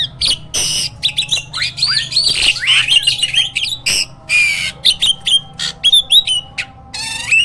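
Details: Hybrid jalak (myna) used as a master so other caged birds learn its song: loud continuous medley of harsh squawks, buzzy bursts, slurred whistles and sharp chirps.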